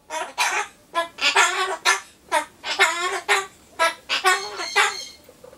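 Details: Pet Solomon Islands cockatoo 'cheering' for the Tokyo 2020 Olympics, mimicking speech in hoarse, harmonic, word-like syllables delivered in short bursts about every half second, around ten phrases in a row.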